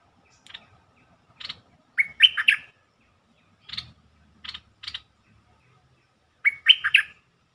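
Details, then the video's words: Bulbul song used as a lure to excite birds: short buzzy chirps, then rich warbled phrases with quick rising and falling notes, twice in about seven seconds, with quiet low rumbles beneath. "เสียงนกดอกแตงEp.147 เปิดให้นกคึก เพลงดีสำนวนน่าฟัง Suara pikat merbah lekir"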